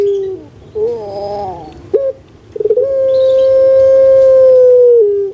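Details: Kept spotted dove of the large-bodied puter pelung type, prized in Indonesia for its booming voice: short wavering notes and a stuttered rise, then one long steady hollow note held about two seconds before a slight drop.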